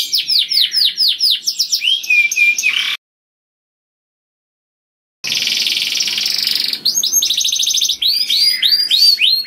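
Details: Canary song, loud and melodious, for luring other canaries; quick repeated swooping notes and trills broken by a two-second silence, then buzzy rolls and looping phrases resume.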